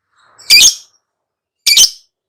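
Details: Lovebird giving the long chattering song called ngekek: two short, harsh, buzzy high-pitched bursts about a second apart, against silence.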